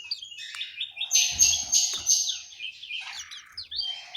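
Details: Caged orange-headed thrush singing in an aviary in Malang, East Java: a continuous, varied run of bright twittering and whistled notes, rising and falling, with a few faint low thumps.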